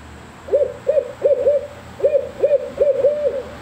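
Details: Juvenile barred owls learning to call give quick, mid-pitched hoots, rising then falling, about eight in three seconds, often in uneven pairs, over a steady low hum.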